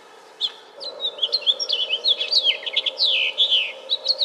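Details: House finch delivering a long, lively warble of high chirps and slurred notes, bouncing up and down in rapid succession and ending in a downward burry phrase, over a low steady hum.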